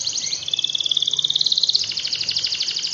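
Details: Singing canary used as a tutor to get lazy canaries singing: a dense, high, buzzy rolling trill repeating about three times a second over faint low background hum.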